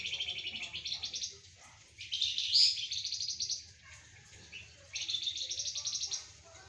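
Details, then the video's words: Flamboyan singing loudly while sunned alongside spotted doves and zebra doves: bursts of rapid, high, dense chattering twitter lasting one to two seconds, separated by short pauses, with a faint low background hum. "Burung Flamboyan gacor"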